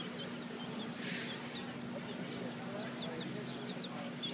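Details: Hen with her chicks at Blue Heaven in Key West; thin, high, downslurred peeps come in scattered bursts over a steady low hum, with brief bursts of hiss.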